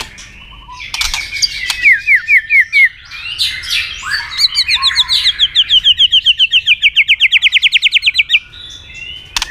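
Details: White-rumped shama fighting song to provoke a rival: varied whistles and clicks, then a long, quick, even trill of repeated short notes lasting several seconds.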